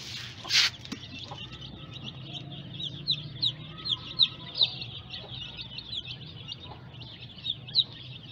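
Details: Newly hatched baby chicks: many high, thin peeps in quick succession, a few louder sharp cheeps standing out every second or so, a brief loud knock near the start and a steady low hum behind.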